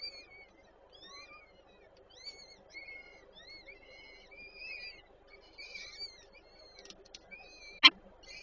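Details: Peregrine falcon female feeding chicks at a nest in Warszawa Żerań, Poland, on 8 May 2023: many faint, short rising and arched whistles in a busy series, with one sharp click near the end.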